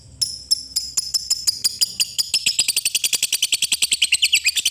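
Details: Fighter lovebird moving from 'ngetik' ticks into long 'ngekek' chatter, played to prompt any lovebird to join in: spaced harsh notes speed up steadily into a rapid, continuous high-pitched rattle.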